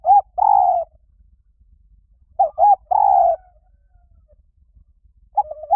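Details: Spotted dove decoy call, repeated phrases of a quick double coo followed by one long, slightly falling coo, sounding roughly every two and a half seconds, a new phrase starting at the end.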